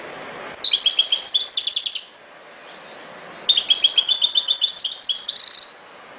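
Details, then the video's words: Two bright, fast-paced goldfinch phrases of high tinkling chirps and trills, the second longer and more varied, with a short silence between. "غناء جميل لطائر الحسون chante du chardonneret"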